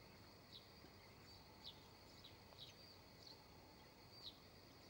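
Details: A female redstart in spring gives short, thin, high whistled notes, about six in five seconds at an uneven pace, over a steady hiss of background noise.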